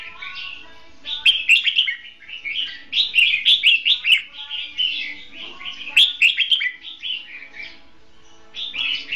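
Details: Red-whiskered bulbul kept as a trapping decoy, singing hót đấu fighting song: a dense run of rapid, rolling whistled notes with almost no gaps, rising and falling in pitch.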